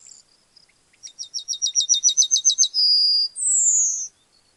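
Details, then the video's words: Yellowhammer song: a quick run of about twelve short, evenly spaced repeated notes, then two drawn-out whistled notes, the final one higher and gently falling; no other sounds. "Yellowhammer Singing"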